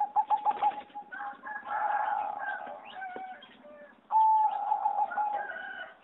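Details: Competition-bred singing zebra dove kept in a flight aviary, recorded 26 April 2014: a rapid stutter of coos and a warbling run over other birds' calls. A clear whistled note and a rolling trill follow.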